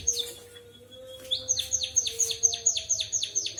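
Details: White-headed munia in canary-style song: a thin sustained whistle, then a rapid series of sharp notes each sweeping downward, about two per second, with a low steady hum behind.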